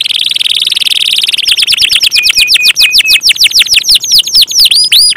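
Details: Canary in vigorous gacor song: a dense buzzy trill gives way to rapid repeated descending whistled notes, with a few steady flat tones woven in and broader swoops at the end.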